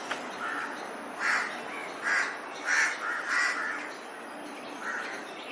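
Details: Crow preparing to nest, with irregular rough caws. Two soft ones lead into four louder, closely bunched calls, then a distant faint caw at the end.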